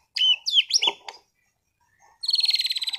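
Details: Contest-class caged white-rumped shama in Sragen, Indonesia, performing its varied song. A few high squeaky swoops are followed by a short silence, then a rapid metallic rattling trill.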